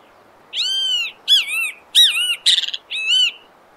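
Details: Wild great kiskadee in Brazil giving a sequence of five loud notes: drawn-out arched whistles with a short harsh, raspy burst near the end, over near silence.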